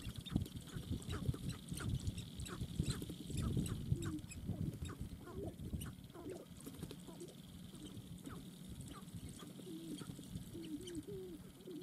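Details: Sharp-tailed grouse at their dancing ground, giving a busy run of short clucking and hooked, whining notes, irregular and overlapping, with a low rumbling background throughout.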